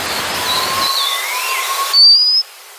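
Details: White-capped redstart (White-capped water redstart): a single thin, high whistle sliding slightly upward, about half a second long, over steady rushing hiss with faint drawn-out tones beneath.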